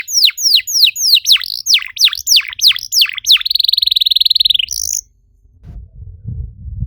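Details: Canary song used to stimulate other canaries to sing: loud downward-sweeping whistles in steady rhythm, followed by a fast buzzy trill and a rising note, ending in quiet low rumbling.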